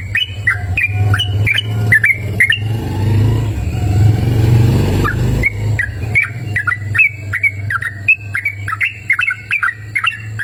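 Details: Yellow-vented bulbul singing outdoors in open nature, a rapid series of short, sharp whistled notes dipping and rising, about two per second, over a loud low rumble of passing vehicles that swells and briefly drowns the song mid-way.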